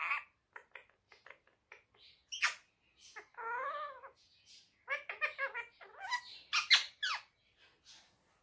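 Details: Pet rose-ringed parakeet, a talking bird said to repeat "Miyan Mitthu", chattering indoors: rapid clicks and ticks, a drawn-out wavering voice-like note, then a tumbling run of chirps and squawky syllables fading to soft ticks.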